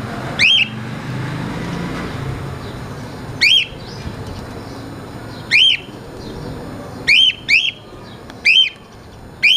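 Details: A male cream cockatiel that talks and mimics other sounds gives short, bright rising whistles, repeated in brief bursts.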